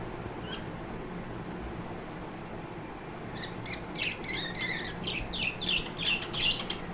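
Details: Budgerigars sing in the morning after breakfast, breaking into a rapid, squeaky warble of chirps and chatter after a quiet start.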